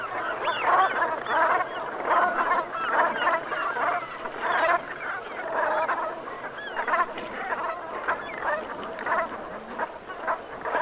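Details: Autumn sunset gathering of Brent geese, Gulf of Morbihan, Brittany, France, 7 November 2021: many birds give short guttural calls in quick uneven bursts, forming a pulsing, rolling chorus that rises and falls for eleven seconds.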